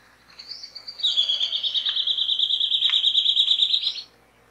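Rufous Gnateater song: a brief high note, then a fast, even trill of sharp chips held at a high pitch for about three seconds, with no other sounds.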